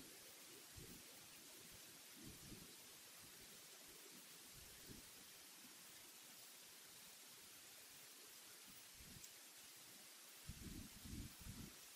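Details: A steady broadband hiss like rain or wind, with irregular low rumbling thumps and no clear animal voice.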